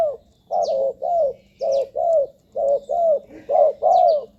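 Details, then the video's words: Spotted dove cooing for luring wild doves: steady paired coos, each a short note followed by a longer downslurred one, repeated about once a second over a low background hum. "เสียงนกเขาใหญ่ หมานๆ 100%"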